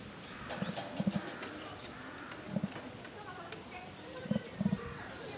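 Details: Captive female emu, Tama Zoo, Japan, January 2023: deep, hollow drum-like pulses like a lightly tapped drum, arriving in pairs and singles about a second or more apart, with low murmuring and faint background sounds.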